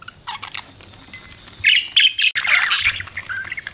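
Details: Pet budgie parrot chattering in quick squeaky chirps that build into a loud, dense warbling burst, with a faint steady tone in the background.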